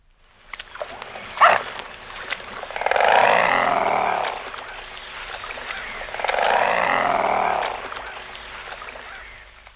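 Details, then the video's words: A close-up mute swan at Abbotsbury, Dorset, UK gives two long, rough, throaty growls of about two seconds each, separated by a sharp crackle, over a low background hum. "Mute Swan Growl"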